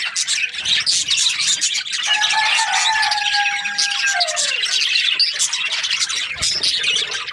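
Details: Australian budgies keep up a dense, high-pitched chirping chatter while a steady lower tone sounds for about two seconds and then slides downward.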